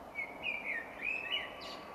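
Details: Common Blackbird in the Irish spring dawn chorus sings a brief fluty phrase of mellow, slurred mid-pitched whistles ending in a softer, higher twitter, over faint hiss; it leaves long pauses between phrases and varies each phrase.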